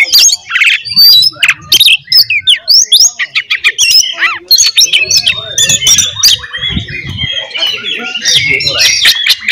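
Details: Oriental magpie-robin in aggressive fighting song meant to provoke other magpie-robins, a dense, continuous jumble of sharp chips, whistles and scratchy notes over nearly ten seconds, with some low rumbling underneath.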